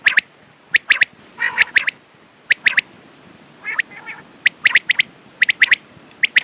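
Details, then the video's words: Quail calling in sharp, clipped high notes, mostly in quick groups of two or three, with a couple of harsher, raspy bursts between them. "Quails sound"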